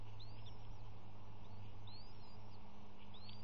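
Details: Bald eagle eaglets, one of three, calling at an early morning nest feeding while both parents are present: a few thin, high, upslurred chirps spaced about a second apart over a steady low hum.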